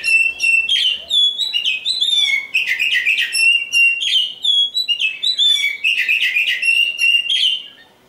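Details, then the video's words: Oriental magpie-robin singing a loud, varied string of clear whistles, sweeping slurred notes and sharp chirps, phrases tumbling together almost without pause. "Nyanyian si "Kacer Hitam"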